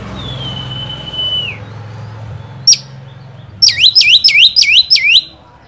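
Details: Oriental magpie-robin singing to provoke a rival bird: a long level whistle that drops at its end, a sharp note, then a rapid series of five looping, swooping whistled notes repeated about three per second.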